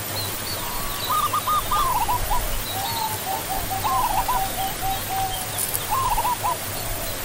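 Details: Zebra dove (Geopelia striata), also called barred ground dove, giving short staccato trilled cooing phrases near one, three, four and six seconds, each a quick stuttering run of notes, over a steady background hiss.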